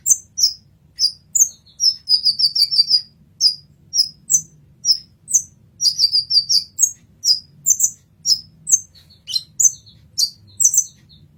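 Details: Olive-backed sunbird (kolibri ninja) giving masteran song material: rhythmic bursts of shrill, thin chirps, including a rapid stuttered run and scattered single notes, with low hum beneath.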